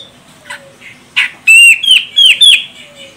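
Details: Medan grey-cheeked bulbul female from Sumatra, a lure for a singing male, gives a quick series of loud, harsh upslurred notes after a few softer rasps.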